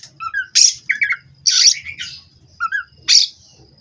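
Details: Captive Indonesian-bred Oriental magpie-robin producing a few harsh, noisy bursts with short descending whistled notes between them and pauses in between, over a low background hum.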